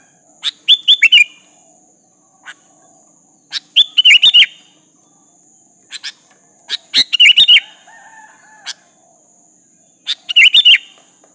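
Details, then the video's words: A sooty-headed bulbul uses lure song to get a rival to reply: four bursts of rapid, slurred chirps about three seconds apart, with scattered single clicks and notes between, over a thin steady hiss. "Suara burung kutilang gacor memanggil lawan pancingan kutilang agar nyaut"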